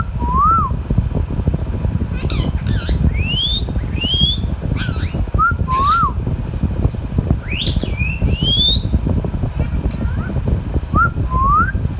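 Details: Pet baby Indian ringneck parakeet, green, calling with scratchy squawks several times amid looping rising whistles, the two alternating through the passage over a low droning background.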